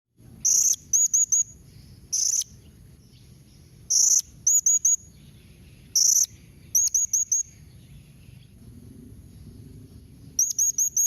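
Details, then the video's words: Blue-crowned hanging parrot giving calls used to prompt other hanging parrots to answer: very high, sharp, squeaky notes in quick bursts of two to four, with long bursts roughly every two seconds and a low steady background hum. "Kombinasi Suara SERINDIT MEMANGGIL NEMBAK Mbeset Seperti ni Jadikan Srindit Anda Nyaut Tambah GACOR"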